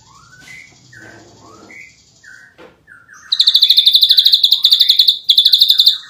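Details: Ashy drongo singing in the rapid 'nembak rapat' style: soft falling whistles near the start, then a loud, dense, rapid-fire trill of sharp high notes lasting about two seconds, a short break, and another burst.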